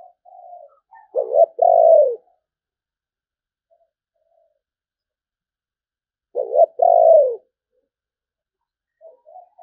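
A spotted dove gives two low, soft cooing phrases about five seconds apart, each a quick double note and then a longer, drawn-out coo, in a quiet setting.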